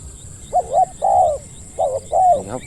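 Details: Decoy spotted dove cooing during a lure hunt in Thailand, in the deep-voiced 'khu ang' style: two paired phrases, each a short hooting note followed by a longer drawn-out coo, evenly spaced, with faint high chirps from other birds.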